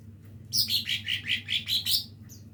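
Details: A young lesser green leafbird practising its song gives a rapid string of about eight bright, descending chirps, strong and evenly spaced, with a faint high note at the end and a low room hum underneath.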